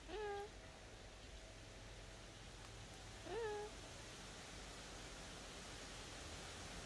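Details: Eleonora cockatoo kept as a pet says hello twice, about three seconds apart. Each greeting is a short, harmonic-rich voiced sound that rises quickly, then levels off, heard against a steady low room hiss.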